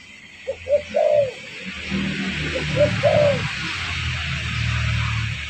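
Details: Spotted dove cooing, used as a lure to draw in wild birds: two phrases, each a couple of short soft notes leading into a drawn-out falling coo, over a steady background hiss and low rumble.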